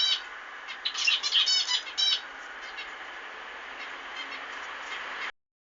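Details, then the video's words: Zebra finches: a burst of nasal, buzzy notes and short squawks in the first two seconds, then a steady hiss until sudden silence. "تغريد طيور الزيبرا فينش"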